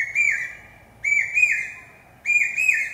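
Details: Piercing pi-peeah whistles of a common hawk-cuckoo, or brain fever bird. Three repeated phrases about a second apart, each a held high note stepping up and then falling, loud and close against near silence.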